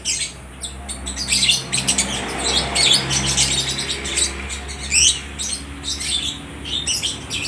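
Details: Lovebirds kept for sale at a bird market in Aceh Tamiang, Indonesia, chattering to each other in continuous, sharp, high twitters and chirps above a low steady hum.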